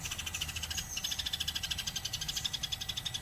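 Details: Eurasian tree sparrow chirping nonstop for training other songbirds: evenly pulsed, fast chirps running throughout, bright and metallic, with a low hum beneath.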